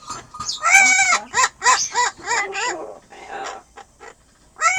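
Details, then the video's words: Pet Amazon parrot giving a loud, high laugh: a quick run of arched, harmonic 'ha' notes, about five per second, fading into softer breathy sounds before one last rising note. "どるちゃんの高笑い Parrot ボウシインコ"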